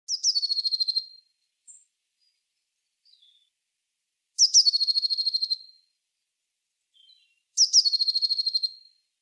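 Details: Eurasian blue tit song: loud phrases opening with high thin notes, then a fast trill of about a dozen notes lasting a second, repeated roughly every three seconds, with faint soft notes between phrases.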